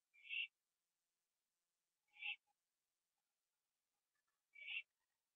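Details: Owl at 11:15 PM on 21 September 2011, finishing a gopher on a porch before joining another owl in a tree. Three hoarse rasps about two seconds apart, with faint ticks between.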